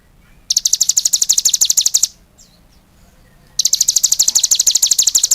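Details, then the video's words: A cigun sings vigorously. Two runs of quick, shrill, repeated chirps are split by a pause of about a second and a half. "suara burung CIGUN gacor"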